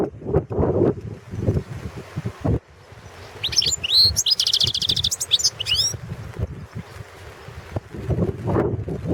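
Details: European goldfinch of the Balkan subspecies Carduelis carduelis balcanica, a 2017 world championship goldfinch song competition entry from Serbia: a mid-clip burst of rapid, liquid, twittering high notes with trills and fast slurs, framed by steady low rumbling noise.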